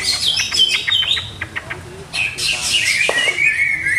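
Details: Caged greater green leafbird being tried out in its song setting. Rapid varied high chirps and short whistled notes, then a loud buzzy phrase and a long descending whistle.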